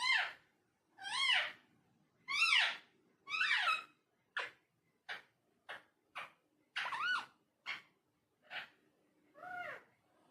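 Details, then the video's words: Talking parrot indoors, giving a string of harsh, harmonic arched calls of varied length, some long and sweeping, others short clipped notes, with brief silences between; faint low room hum underneath. "Talking Parrot"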